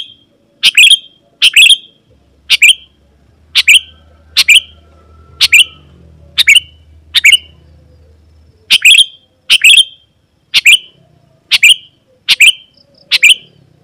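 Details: Sooty-headed bulbul calling to make wild bulbuls answer and approach: about sixteen short sharp chirp notes repeated steadily, close to one per second, with a faint low hum in the background.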